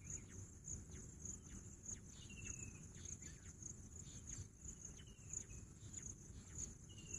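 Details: Bush quail, known locally as Pahadi Bater, gives thin, falling whistled notes, three in the clip and spaced unevenly. Steady high cricket trilling continues throughout, with scattered faint ticks.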